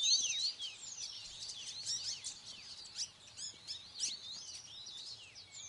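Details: A Siberian rubythroat, recorded 17 January 2021, gives high, scratchy twitters and short whistled notes in a fast, jumbled, continuous run, with a faint steady hum underneath.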